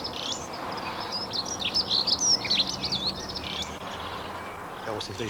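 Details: Dunnock (Prunella modularis) song: a quick, high, jangling warble of about three seconds, fairly level in pitch, over steady background hiss, with a brief low voice near the end.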